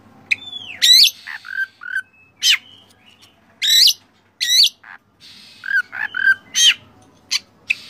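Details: Oriental magpie-robin training song full of fill-in phrases, used to tutor and rouse caged birds: loud, varied whistled notes, rising slurred whistles and sharp looping phrases in separated bursts with short silences between.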